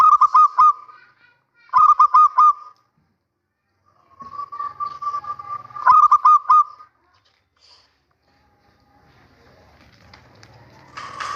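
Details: Male zebra dove, a local bird that calls often: bursts of rapid staccato cooing notes, four or five in quick succession, repeated every couple of seconds, with a longer wavering coo between and some rustling noise toward the end.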